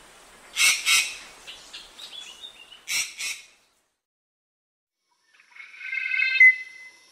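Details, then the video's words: Eurasian magpie letting out two short, harsh, broadband rattles a couple of seconds apart, followed after a silence by a thinner, drawn-out, more tonal note. "Сорока. Голоса птиц"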